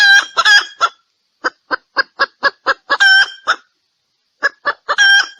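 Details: Female red junglefowl calling to attract a male: short, harsh clucks, some drawn out and nasal, in quick uneven runs of about four per second with brief pauses.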